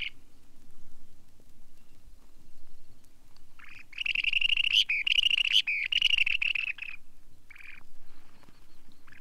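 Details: Long-billed Dowitcher uttering a dense run of fast, high, chattering notes for about three seconds, then a few short separate notes, against a quiet background.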